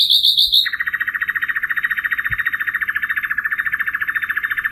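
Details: Brief high notes, then a long, steady, rapid rattle of mid-pitched pulses repeated many times a second, continuing for about four seconds; attributed to a common nightingale.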